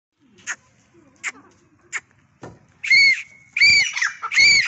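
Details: Grey francolin (Ortygornis pondicerianus) calling: three short, sharp ticking notes, then loud, harsh, shrill calls repeated in quick succession.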